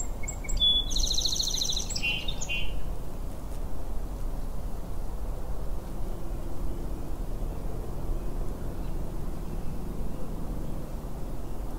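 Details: Sparrow song played back: a short burst of mixed high trills and whistles at varied pitches lasting about two seconds, then a long stretch of steady low outdoor noise with no further singing.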